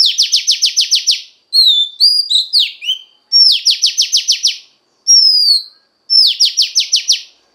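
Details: Female Oriental magpie-robin singing to stimulate the male: loud phrases of six to eight rapid down-slurred notes repeated in bursts, separated by clear descending whistles and short varied chirps, with pauses between phrases.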